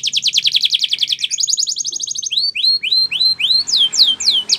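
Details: Spanish Timbrado canary training song opening with a fast pulsing trill, switching to a higher rapid trill, then slower rising whistled sweeps and falling slurs over faint background hiss.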